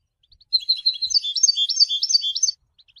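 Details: Goldfinch, recently moulted, singing a two-second phrase of liquid twittering and tinkling notes, rapid and varied, sitting high in pitch, followed by a couple of faint soft chips; background otherwise silent.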